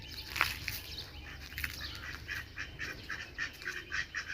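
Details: Ducks quacking in short, scattered bursts, a few louder harsh notes standing out over a steady low background rumble.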